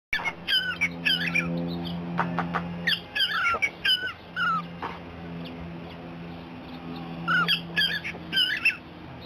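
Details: A cockatiel (Nymphicus hollandicus) gives bursts of bright chirps and squeaky, rising whistled notes over a steady low hum.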